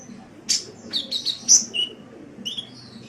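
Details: Sunbird (kolibri) sound used as song-tutoring material for cage birds: sharp high chirps and short whistled notes in a quick burst, then a few thin descending whistles, over a faint low hum.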